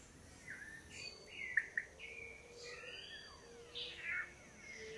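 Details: Long-tailed manakin males displaying on a lek before a female in Costa Rica, several pairs taking turns; overlapping slurred whistles and short buzzy notes around the middle-high range, with sharp chips near the middle and a steady insect-like hiss behind.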